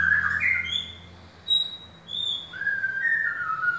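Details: Caged white-rumped shama for sale, giving loud clear whistles that rise then fall, a short high note between them, and a closing run of descending whistled phrases.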